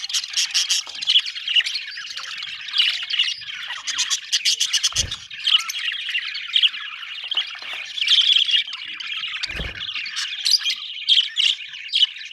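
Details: Lively flock chatter from budgies, a constant mix of warbling whistles, ticks and harsh squawks, with two low thumps breaking through the high chirping.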